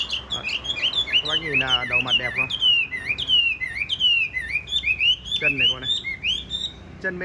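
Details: Loud-voiced tame Chinese hwamei, caged, with yellow legs and bill, sings a dense, continuous stream of rich whistles and rapid downslurred notes, with a man's voice briefly mixed in twice.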